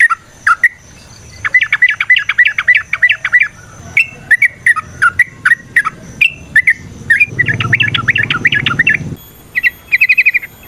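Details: Fighting song of a yellow-vented bulbul, played to provoke rivals: bursts of fast, bubbly whistled phrases alternating with isolated sharp notes, a long rattling run near the end over a brief hiss, then a high thin tone.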